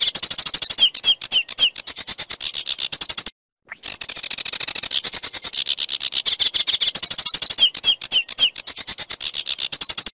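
Sedge warbler pouring out a fast, scratchy chatter of dry ticking notes mixed with short slurred whistles, broken by one brief pause.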